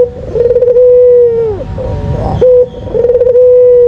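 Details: Lure coo of a white Barbary dove, a caged competition bird: a rolling, warbled start flowing into a sustained mellow tone that sags away, then a brief sharp note and the trilled coo again.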